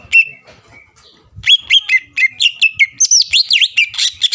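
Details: Greater green leafbird song used to goad rival birds into answering: a thin whistle, a soft pause, then a quickening run of high slurred whistles rising into looping, warbling phrases.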